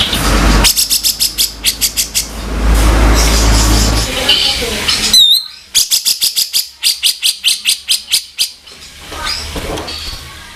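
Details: ["Harsh 'kasaran' singing of a grey-cheeked bulbul, made as a tutor for songbirds: bursts of rasping, chattering notes broken by noisy gaps and a brief whistled slur midway, then further scratchy runs."]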